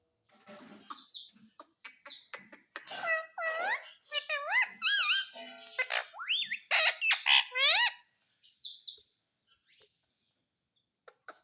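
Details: Indoors, a pet talking parrot utters bursts of rapid, bending, harmonic syllables in a speech-like stream, with quieter chirps and clicks before and after and music and voices in the room.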